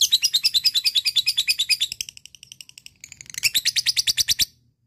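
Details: ['Lovebird in full ngekek with tight gaps, meant to stir lazy lovebirds to sing: a fast, high chattering trill of many bright pulses, softening briefly midway before rising strongly again, then stopping abruptly.']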